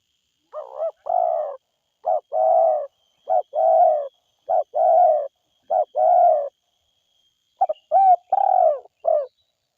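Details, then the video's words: Forest spotted dove calling: about six low paired coos, each a clipped note followed by a longer mellow one, come roughly every second. The series ends with a full phrase of quick double notes and a drawn-out falling coo. The background is silent. "SUARA TEKUKUR DERKUKU GACOR HUTAN"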